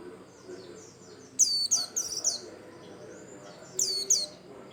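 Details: Bustomi-type white-eye song used to start other birds singing: a fast run of three bright, high downward whistles followed by a thin twitter, then another pair, all very high-pitched.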